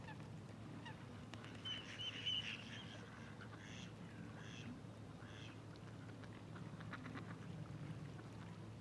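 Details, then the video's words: Goosander (common merganser, Mergus merganser) at Zbiljsko Lake on 28 November 2023, giving short, harsh, croaking calls in a few brief bursts over a steady low rumble of wind and water. "Mergus merganser VELIKI ŽAGAR"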